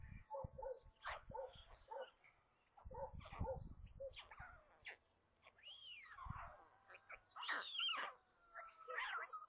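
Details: White stork chicks at their nest near Kaluga, Russia, at lunchtime on 27 May; choppy squeaky calls repeated irregularly, then a drawn-out arching whine and higher wavering squeals, with thuds of movement in the nest.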